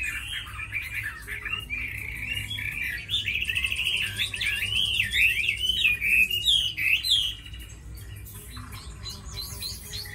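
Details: Long, loud warbled song from a tamed Chinese hwamei kept for fighting: fluid whistled runs climbing and falling, some rapid trilled stretches, then the singing fades into quieter scattered notes near the end.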